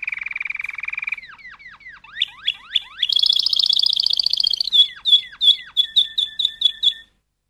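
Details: Malinois canary song: a buzzy low roll, a series of falling and rising swooping whistles, a dense rapid high rattle, then ringing bell-like notes repeated about three per second before stopping.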